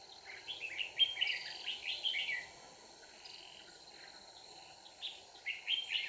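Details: Decoy red-whiskered bulbul set out for trapping, giving rapid, bubbling, whistled phrases that rise and fall, then a pause before a shorter burst, over constant background insect noise.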